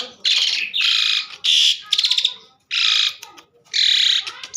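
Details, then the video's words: Asian pied starling singing loudly: broad harsh, hissing squawks alternate with fast buzzy rattles, each burst roughly half a second long with short silences between. "burung jalak suren super gacor"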